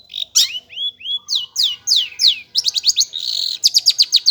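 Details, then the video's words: Varied song of a long-tailed shrike in full voice: arched slurred whistles and several loud downward-sweeping notes, then a fast run of bright, sharp, repeated high chips. "BURUNG CENDET / PENTET GACOR"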